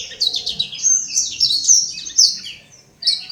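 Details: Imported black-throated canary singing in Legian Kelod, Kuta, Bali; a fast, high, twittering run of sweet trills and chirps, with a brief pause before starting again.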